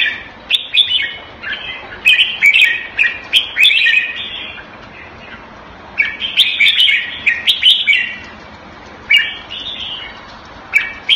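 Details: Caged red-whiskered bulbul kept Thai style in Singapore, recorded around 14 February 2018, sings clusters of rich whistled phrases, then falls quiet for a second or two before the next burst.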